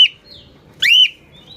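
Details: An angry cockatiel gives a brief opening squawk, then a harsh, arching screech.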